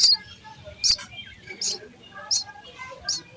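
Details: Nestling sparrows at feeding time: a few sharp, high, rasping chirps spaced about three-quarters of a second apart, with quiet thin twitters in the gaps.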